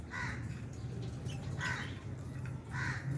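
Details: Aviary lovebirds, including albino and Fisher's, at mealtime with budgies nearby; three coarse, buzzy squawks come evenly spaced, roughly every one and a quarter seconds, over low-frequency hum.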